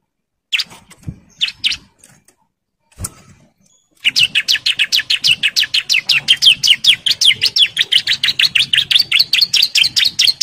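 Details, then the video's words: Male bar-winged prinia in breeding condition calling females: a few short scattered notes, then a fast, loud run of sharp high ticking notes repeated about three per second for six seconds. "CIBLEK JANTAN BIRAHI GACOR NGEBREN MANGGIL BETINA KOLONI"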